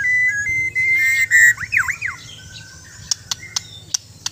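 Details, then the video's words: White-rumped shama of the Bornean type in training, holding long steady whistles. It then gives deep swooping slurred notes, followed by a few sharp clicks. "Indahnya suara dan gaya burung murai batu"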